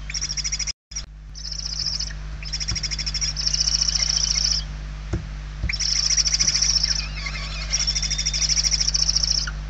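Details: Inside a Spanish barn owl nest, 28/11/2023, hungry chicks keep up repeated breathy, buzzing hiss bursts roughly every second or two, with soft knocks and a steady low hum underneath.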